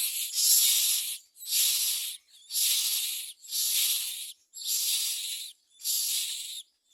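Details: Common myna, recorded while adults bring worms and crickets to feed their babies: six harsh, hissing rasps, each nearly a second long, repeated about once a second with brief silent gaps.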